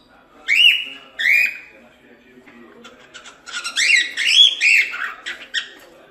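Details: Training song for cockatiels, sung by a cockatiel: two long rising whistles, a short pause, then a quick run of looping whistled and chirped notes.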